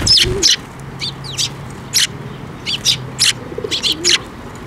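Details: Sparrows arriving for food at a bridge by a Tenmangu shrine, 5 May 2024: loud, bright chirps and quick double notes, roughly ten in under five seconds, with a faint low hum beneath.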